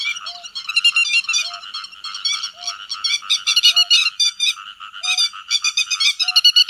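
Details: Grey-headed lapwing calling the flock, a recording used as a lure for net trapping by night and day: dense, harsh, rapidly repeated strident notes in overlapping bursts, with a faint low short tone recurring about once a second.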